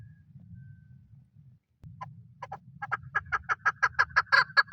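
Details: Male chukar partridge used for hunting; after a low hum, clucking notes begin faint and build into a fast, loud repeated chuckling series.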